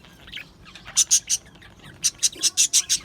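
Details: Budgerigars in an aviary colony, with soft background chatter, then clusters of sharp high chirps repeated in quick succession.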